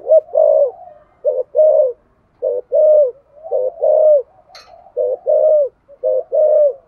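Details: Spotted dove kept to stimulate other doves into cooing, giving a steady run of loud, low, paired hooting coos, each phrase a short note then a longer swelling one, repeated almost without pause; one brief sharp click midway.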